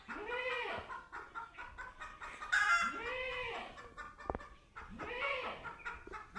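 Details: Chicken calling on first meeting a cat: three loud drawn-out arched squawks that rise and fall, spaced about two and a half seconds apart, over steady softer clucking and a brief sharp knock.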